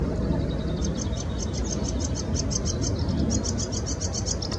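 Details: Sedge warbler in Bitsa Forest recreation area, Moscow: a fast, high chattering run of repeated dry notes, about five per second, over a heavy low rumble of wind or distant traffic.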